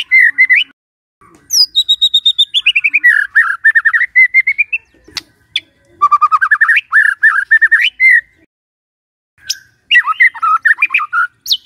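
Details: White-rumped shama morning song, played to get a silent shama singing: high descending whistles, long rapid trills, bursts of chatter and sharp rising notes separated by brief pauses.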